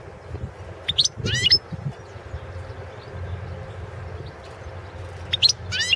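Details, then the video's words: European goldfinch of the Balkan form Carduelis carduelis balcanica, a competition entry in the 2016 World Championship in Goldfinch Song, held online under Serbian breeders' association rules. Two short bursts of high, rapid twittering with sweeping notes over a steady low rumble. "World championship in Goldfinch Song 2016"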